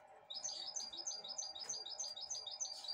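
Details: Goldfinch hybrid, a caged pet bird, eating broccoli from its owner's hand; a fast run of high, bright chirps repeated about every quarter second, with a steady low hum indoors.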